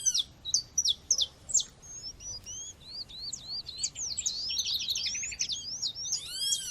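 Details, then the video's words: Female coleiro or papa-capim seedeater calling against nature sounds to excite males: sharp high chirps at first, then a run of swooping whistled twitters and a brief rapid buzzy trill, with faint background hiss. "fêmea chamando com som de natureza esquente já seu coleiro ou papa capim"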